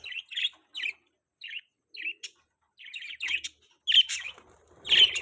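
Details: Pet budgerigars chirping: short warbled chirps and chatter notes in irregular bursts, about one a second, some louder scratchy calls near the end; no other sounds.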